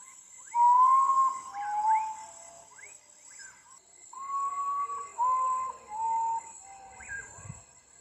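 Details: Common Potoo (urutau) in Brazil singing at night, giving two mournful whistled phrases, each a slow series of pure notes stepping down in pitch, over a steady high insect drone throughout.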